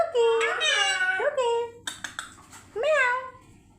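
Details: Talkative pet parrot imitating human speech indoors, uttering drawn-out, nasal, voice-like phrases in the manner of its repeated 'me too' and 'meow'.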